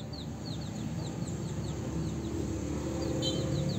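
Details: House sparrows at mating time giving a quick series of short, faint chirps, roughly three per second, over a steady low rumble of background noise.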